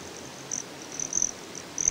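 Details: Broad-tailed hummingbird, Great Sand Dunes, Colorado: short bright very high notes, some drawn out and buzzy, in three or four quick bursts against quiet background hiss.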